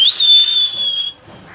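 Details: Talking common hill myna making one strong whistle that jumps up sharply, then holds a steady high tone for about a second before cutting off.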